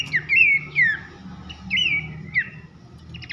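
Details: Loud 'nyiul' whistling of Abbott's babbler (pelanduk semak): four sweet, slurred whistles, each rising then dropping, spaced roughly half a second apart, ending in a brief burst of rapid notes, over a steady low hum.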